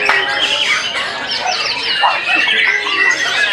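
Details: White-rumped shama delivering an energetic song burst of quick bright whistles, rising sweeps and scratchy notes, loud and unbroken across the clip, with some squawky calls and murmur behind.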